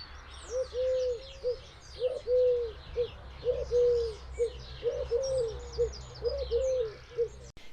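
Eurasian Collared Dove cooing its three-note song, a soft low hooting phrase repeated round and round without pause; faint chirps of other birds behind.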